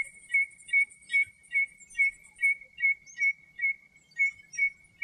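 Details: Common redshank song recorded in its natural habitat in Greece, a long run of identical clear whistled notes repeated steadily about two or three times a second, with faint high twittering early on.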